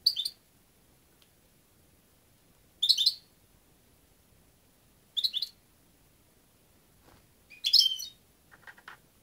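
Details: European goldfinch calling in brief twittering bursts about every two to three seconds, high and tinkling, the last burst louder and busier, with a soft hum underneath.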